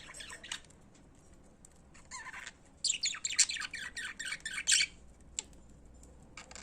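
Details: Pet budgerigars singing: a few scratchy chirps, then a rapid run of buzzy, chattering warble notes for about two seconds before tapering to soft calls.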